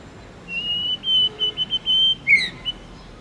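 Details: Tamed white-rumped shama in forest-style song: a long high steady whistle broken into several held pieces, then a sharp downslurred note and a brief final whistle.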